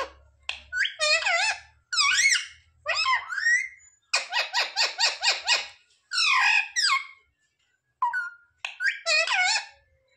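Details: Pet parrot mimicking words such as "mummy papa" and "mithu" indoors, a run of rapid harmonic-rich bursts, chattering phrases with rising and falling squeaky syllables and a short whistled note.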